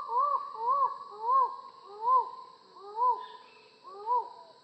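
Six low, arched, human-sounding 'ow' notes from a Collared Forest Falcon, one every three-quarters of a second, over a steady high insect drone.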